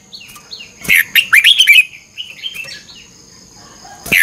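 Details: Red-whiskered bulbul in morning song training, chè căng lửa double-twist voice; one quick burst of slurred chirping notes, followed by softer scattered notes and a final sharp chirp.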